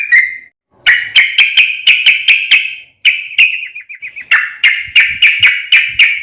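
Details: Yellow-vented bulbul lure recording for provoking other bulbuls: one short whistle, a pause, then sharp bright chirps about three per second, a quick fading stutter, and another fast run of crisp notes.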